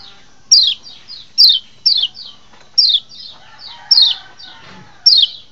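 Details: White-eye (kecial lombok) master call used to draw wild birds by arousing them: loud high chirps sliding steeply downward, spaced roughly a second apart, each followed by quieter echoing notes; brief faint tonal sounds midway.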